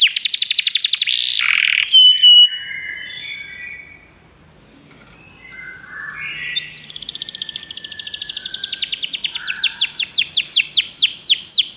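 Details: Singing canary, used to encourage a pet canary to sing: a varied phrase of loud rolls, pure whistles and warbled notes, then a long, fast, repeated sweeping trill of about four notes a second that grows steadily louder.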